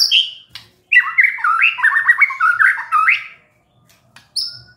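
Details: White-rumped shama described as stressed and suddenly singing on hearing a lure recording; a rapid, run of chattering, stepped notes lasting about two seconds, bracketed by short high whistles, in quiet surroundings.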